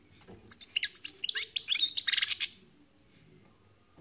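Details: European goldfinch delivering a continuous two-second stream of high, tinkling, rapidly alternating notes ending in a dense buzzy trill, then quiet.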